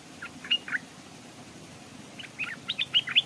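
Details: Decoy Stripe-throated bulbul hanging by a stream, with wild birds nearby too wary to land. A few scattered chirps early on, then a lively run of rising and falling whistled notes toward the end.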